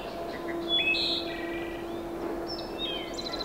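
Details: Wood thrush singing at Falmouth, Massachusetts, 7 May 2015: clear fluted notes followed by quick, higher, trilled flourishes, over a steady low mechanical hum.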